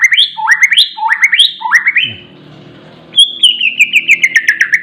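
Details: Oriental magpie-robin singing vigorously: four rising whistled phrases, each sweeping upward in steps, then a brief quiet gap and a long, slowly falling warbled whistle.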